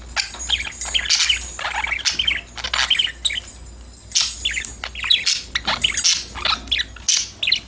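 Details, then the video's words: A flock of pet budgies chirping, singing and talking to each other, continuous overlapping warbles and clicky chirps in quick succession, some louder squawks, and a low steady hum behind. "Your #budgies will start chirping, talking, playing after listening these #parrot #bird sound"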